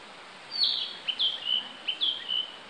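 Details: Male Narcissus Flycatcher singing unseen on 18 May 2015 at Akagi Nature Park, singing abundantly; clear high whistled phrases, each a slurred note dropping into a steady whistle, given three to four times in quick succession over soft hiss.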